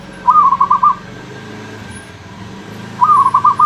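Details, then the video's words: Zebra dove (perkutut), a champion bird in ecek ecek style, sings two short pulsed cooing phrases of about five notes each, roughly three seconds apart, over a steady low hum and background noise. "burung perkutut juara ecek ecek"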